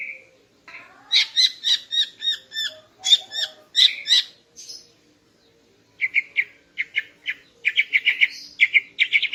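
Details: A female greater green leafbird sings in the morning to excite the male: rapid, evenly spaced bright chirps for four seconds, a short silence, then a quicker, buzzier chatter of lower notes.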